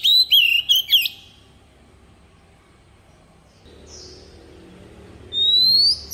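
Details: Wild forest-style song of a decoy Oriental magpie-robin used to train young birds: a rapid string of whistled notes with sharp downward flicks, then a long quiet gap before a rising whistled phrase returns.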